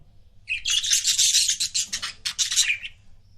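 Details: Budgies kept as pet couples give a nearly continuous, dense, scratchy warble of rapid chirps lasting almost three seconds, with brief breaks late in the run.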